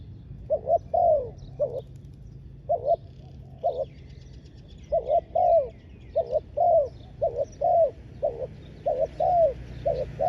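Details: Spotted dove decoy placed on the ground to call wild doves, cooing in spaced pairs then a faster run of doubled coos toward the end; thin twittering of other birds and a steady low hum behind.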